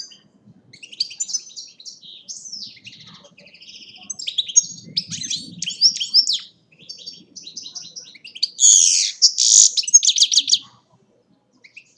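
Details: A European goldfinch in Agrinio, Greece, sings a fast, tinkling twitter of varied high notes, ending in a burst of louder buzzy, scratchy phrases.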